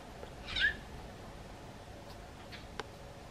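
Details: A Eurasian tree sparrow on a garden bench greeting someone leaving the house gives a single clear chirp with a quick downward slur, then only faint ticks and low background hum.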